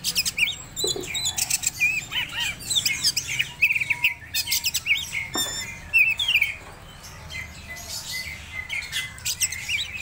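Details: Medan-type Oriental magpie-robin in breeding condition, delivering a long, busy song of shrill whistles, scratchy notes and fast twitters, with a few lower pure tones and a brief quieter pause near the end.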